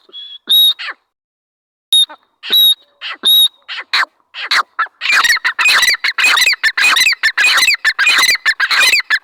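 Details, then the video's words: Dhakani teetar, a partridge, giving a few clear whistled notes, then a long rapid sequence of loud, harsh, grating squawks. "dhakani teetar voice /arani teetar voice /teetar sound/teetar boli"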